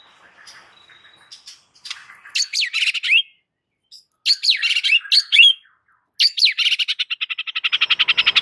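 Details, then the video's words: White-rumped shama giving an aggressive fighting song used as a training master for caged birds: bursts of rich, swooping, buzzy phrases in three bouts separated by brief silences, ending in a fast rattling series of repeated notes. "MASTERAN Murai Batu GACOR NGAMUK"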